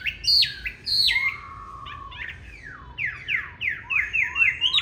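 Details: Green-bean-eyed Chinese hwamei giving a fighting song used to train others toward a mellow song: sharp high whistles, a long low drawn-out note, then a rapid run of rising slurred whistles.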